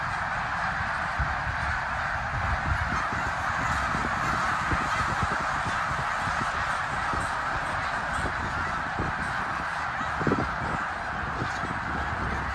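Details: Thousands of snow geese migrating through Bath, eastern Pennsylvania, on 19 January 2021. A dense, unbroken chorus of honking and yelping fills the air, with countless overlapping voices and steady low rumble beneath.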